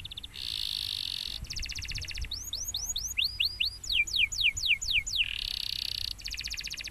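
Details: Champion canary, claimed to silence other canaries within 30 seconds, sings fast dry trills, then a run of rising whistled sweeps, then quick falling sweeps, and finishes with more rapid buzzy trills. A faint low hum sits underneath.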